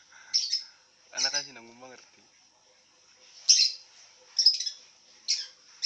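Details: Lovebird lying down and making sounds: sharp, high squeaky chirps at irregular intervals, one harsher buzzy chatter near the start, then scattered piercing notes separated by short silences.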